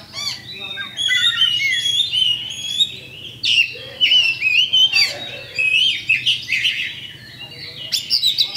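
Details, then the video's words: A champion kacer (Oriental magpie-robin) delivering pancingan lure song to spur fighting: drawn-out whistles wavering up and down, mixed with short chirps and a few harsh bursts, with a faint hum beneath. "LANSUNG TARUNG ! PANCINGAN KACER JUARA"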